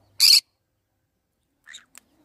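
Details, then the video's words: A green-cheeked conure gives one loud, harsh, rasping screech, then two faint, brief chirps about a second and a half later. "green cheek conure sounds"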